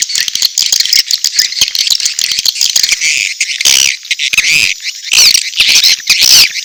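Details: Edible-nest swiftlet mating calls with chick calls, a high, rattling twitter of rapid clicks and chirps, with short thin whistled upslurs toward the end.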